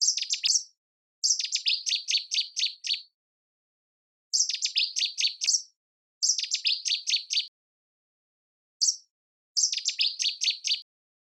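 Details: A nightingale sings in six bursts of fast, repeated high chirps. Each burst lasts one to two seconds, with roughly one-second pauses between them. A clean, quiet background surrounds the song.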